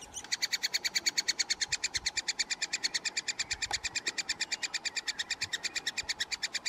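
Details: Eurasian three-toed woodpecker at its nest in Oslo, June 2018, gives a fast, steady stream of harsh, buzzy chirps, about seven a second, with a faint low hum behind.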